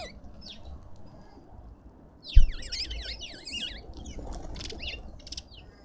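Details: At a suburban garden feeder in Pretoria, South Africa, a single loud thump is followed at once by a rapid string of zigzagging, squeaky lovebird chirps, then a few buzzy shrieks fading out.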